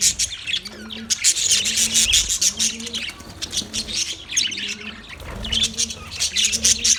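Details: Parrots chirping, recorded 20 November 2023: a dense, continuous stream of bright, high chirps and twitters overlapping throughout, with soft, low droning notes repeating about every second underneath.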